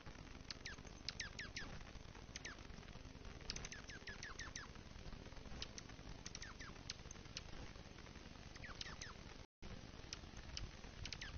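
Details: Dark-eyed Juncos foraging at a platform feeder during the season's first big snow in Kalamazoo, Michigan, November 2019, call to each other with sharp, high, quick chip notes, several birds overlapping, over a steady low rumble.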